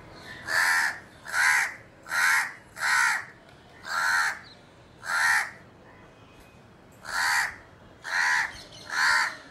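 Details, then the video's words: A crow calling at a house window gives nine harsh, hoarse caws, each about half a second long, in a loose series roughly one per second with a short pause midway. "CROW CALLING"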